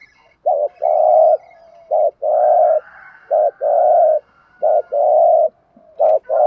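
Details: Luring coos from a decoy spotted dove in thúc gù style, aimed at attracting wild doves. A clipped two-part note and a drawn-out coo repeat steadily in a rhythmic series, four to five times over several seconds.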